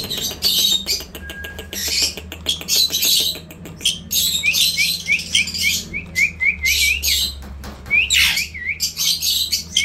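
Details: Indian ringneck parrot giving a rapid run of loud, shrill chirps and squawks, then a series of short rising whistled notes repeated about every third of a second, with a low steady hum underneath.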